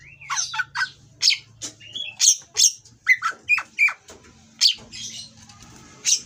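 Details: Captive breeding-condition Oriental magpie-robin with rough song to provoke rivals: a rhythmic series of harsh scratchy notes and short whistles spaced about half a second apart, over a steady low hum.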